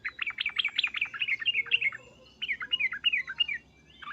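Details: Excited sooty-headed bulbul giving loud 'cuk-cuk' and 'uplik-uplik' calls intended to draw a response from other bulbuls; clear bubbly slurred notes in a quick series, a short break, then a slower phrase.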